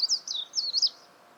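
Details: Wild warbling white-eye giving a quick, very high-pitched run of thin, twisting chirps, about four linked wavering notes in under a second, then quiet.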